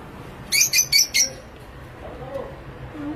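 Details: A lovebird on a breeding farm gives four quick, harsh, high-pitched chirps in a rapid burst.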